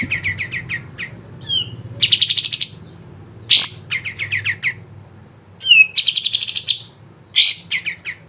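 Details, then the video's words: Sooty-headed bulbul recording used to coax caged birds to sing: runs of quick chirps alternating with rapid rattling trills and short slurred whistles, phrases separated by brief pauses. "PANCINGAN BURUNG KAPAS TEMBAK MALAS BUNYI CEPAT IKUT GACOR"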